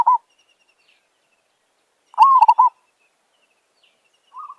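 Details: Wild village zebra dove near a decoy trap: a brief coo note, then a bubbling phrase made of a rising note and quick pulses, and a softer coo beginning at the end, all in a quiet setting.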